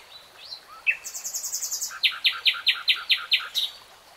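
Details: Common nightingale phrase: soft slurred whistles, a thin high stuttering series, then about eight loud, evenly spaced chirping notes repeated roughly every quarter second.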